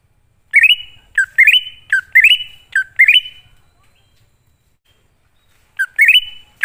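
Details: Greater green leafbird lure song of the wild-type style for coaxing newly caught or silent birds: four rising whistled phrases, a few seconds of quiet, then the phrase returns.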